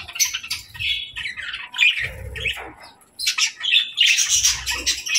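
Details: Pet budgerigars playing in the evening chatter in quick, scratchy chirps and warbles, several birds overlapping in bursts with brief pauses, high-pitched and busy throughout.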